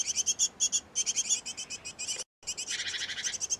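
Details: Great tit at a nest box where a pair is feeding nestlings: rapid, high, squeaky chirps repeated about three times a second in quick runs, with a brief silent break midway and a denser, raspier burst near the end.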